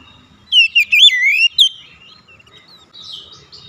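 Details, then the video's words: Magpie-robin, oriental, singing to trigger reluctant birds: a burst of loud, looping whistles lasting about a second, one sharp follow-up note, then quiet high-pitched twittering fading out. "tera memancing Kacer bahan susah bunyi langsung gacor"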